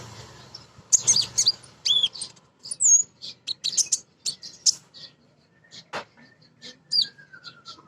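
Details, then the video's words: High twittering and squeaky chips from a female crimson sunbird calling for a male, used to lure birds into song. A thin falling whistle and a soft click sound near the end. "Konin Betina Gacor‼️ Nyrecet Nembak Cocok Untuk Pancingan Burung Bahan"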